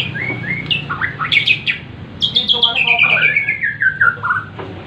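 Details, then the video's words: White-rumped shama of Borneo singing imitations of a prinia: varied whistled phrases, sharp high notes and a long descending series of clear slurred whistles, over low background noise. "MURAI BORNEO TEMBAKAN PRENJAK"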